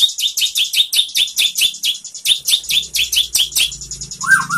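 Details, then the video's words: White-rumped shama song for training other shamas: a steady series of high, sharp, rapidly repeated chirping notes, ending with a lower slurred whistle and a faint background hum. "SUARA MURAI BATU bikin GACOR BONGKAR ISIAN ¦ MASTERAN MURAI ¦ SHAMA BIRD"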